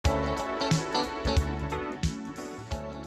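Only music is heard, with steady harmonic notes and regular beats and no animal voice.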